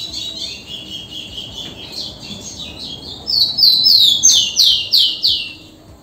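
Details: A rufous-collared sparrow sings ligeirinho style. Softer whistled notes lead into a loud series of about six clear downslurred whistles, each falling in pitch, delivered roughly three per second.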